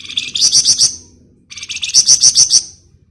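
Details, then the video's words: Ngebren-style song of a golden-bellied gerygone: two separate bursts of rapid, shrill, buzzy trilling, each under a second long with several accented pulses, separated by a brief pause. "Rajanya Ngebren Burung Flamboyan"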